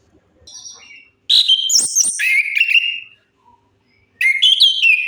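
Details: Orange-headed thrush giving a lure song for birds gone silent: soft high notes, then a loud two-second run of clear whistles dropping in pitch, a pause, and another bright whistled phrase.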